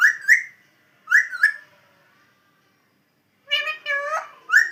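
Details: Pet parrot producing paired rising whistles twice, then, after silence, a run of nasal speech-like syllables ending in another whistle.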